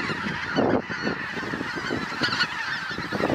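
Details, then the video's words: Geese by the hundreds landing on a grassy field; loud overlapping honking from the flock, with several distinct nasal honks standing out above the dense background chorus. "Hunderte Gänse landen auf der Weide"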